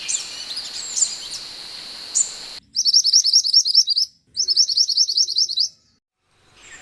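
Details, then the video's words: Scarlet minivet, recorded as a training track for other birds. After a stretch of hiss with faint high notes, two quick bursts of sharp, high, repeated chirps, each burst about a second and a half, then silence. "MASTERAN BURUNG MANTENAN ( SEPAH HUTAN )"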